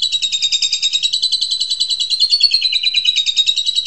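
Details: Asian pied starling delivering a master song for training young birds as one steady, high, buzzy trill of rapidly pulsing notes that continues throughout.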